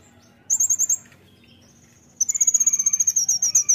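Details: Brown-throated sunbird in lively 'nembak' song, recorded to tutor cage birds: a short high trill, a pause with a thin whistle, then a longer, faster run of piercing notes with lower overtone-like accompaniment.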